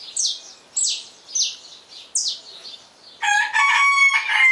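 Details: At dawn, a Saffron finch gives four sharp, high, downward-sliding chirps spaced under a second apart, then a rooster's loud harmonic crow takes over the final second.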